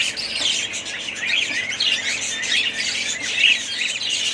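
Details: Short burst of budgerigar family chatter: bright, high twittering and warbling from several birds at once, steady in loudness.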